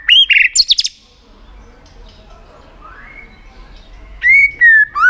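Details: Tail-flicking white-rumped shama used to rouse contest song: a quick, loud cluster of whistled and buzzy notes, a quiet interval with faint sounds, then three clear, sliding whistles.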